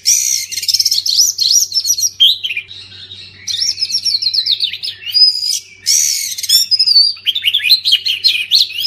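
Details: Oriental magpie-robin singing to coax silent magpie-robins into song: long varied strings of sweet whistles, harsh chatters and fast repeated notes, loud and continuous with brief gaps between phrases.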